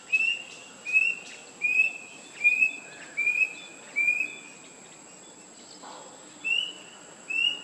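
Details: Rusty-breasted Cuckoo calling: short, clear whistled notes that slur upward, repeated roughly every 0.8 seconds with a brief pause midway, over a steady high insect drone and faint background noise.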